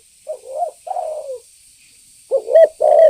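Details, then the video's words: Spotted dove lure call used to provoke birds; wavering low coos, then a louder, harsher coo phrase near the end. "Suara pancingan burung Tekukur Gacor"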